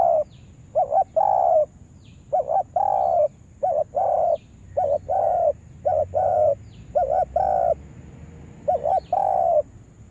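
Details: Lure spotted dove being taught for trapping calls almost continuously, about eight phrases in quick succession, each short stuttered coos running into a held, warm, slightly descending coo.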